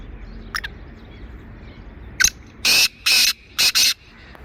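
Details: Black francolin (kala teeter) from Sindh, Pakistan, giving a short rasping phrase: two soft clicks, one sharp note, then four strident, buzzy, grating bursts grouped in pairs, against a calm outdoor backdrop.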